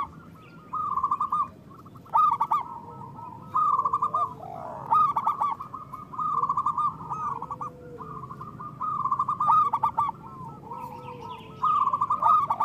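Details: Local zebra doves in full song, a lure and therapy recording for quiet doves: bursts of fast trilled coos every second or two, separated by short pauses, with soft lower notes from other doves underneath.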